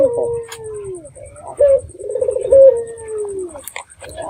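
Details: Red-eyed dove lure call to prompt other doves to answer: a long gently falling coo opens, then short clipped notes and a purring roll ending in another long downward-sliding coo, with a faint low rumble.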